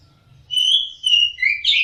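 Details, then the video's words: Orange-headed thrush singing, recording for training caged birds: a sustained clear whistle, then shorter falling notes ending in a rough, buzzy flourish. "TERAPI SUARA BURUNG ANIS MERAH DIJAMIN NYAUT DAN GACOR"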